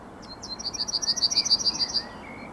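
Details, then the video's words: Morning song of a Yellowhammer, recorded 9 May 2021: a couple of thin introductory notes, then a rapid run of high, clipped repeated notes, with a faint lower whistle from another bird near the end. "Trznadel i jego poranny śpiew"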